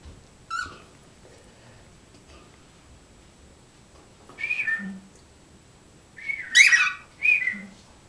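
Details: Three pet cockatiels indoors in a small room giving short rising whistled calls, a brief note near one second, then louder slurred whistles around four and a half and near seven seconds, with faint low room sounds.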